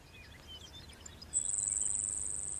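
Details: A Grasshopper Sparrow sings at 6:35 a.m. on June 10, 2019, in grassland between road and fence SE of Trossachs, Saskatchewan: a long, very high, dry insect-like buzz over a second, preceded by faint thin notes; other birds call softly over low rumble.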